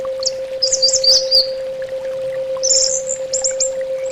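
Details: Orange-headed thrush singing in a recording for bird song therapy: high, thin twittering phrases and short buzzy bursts separated by brief pauses, over a constant low electrical hum.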